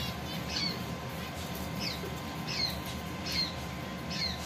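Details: Nest-building pet zebra finches give brief nasal calls with a downward slur, about four of them spaced roughly a second apart, over a constant low hum.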